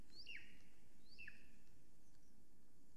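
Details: Golden Eagle female calling at her Estonian nest on a July 2020 morning, filmed by a live nest camera. Two high, thin yelps, each sliding sharply downward, come about a second apart against a low rushing background.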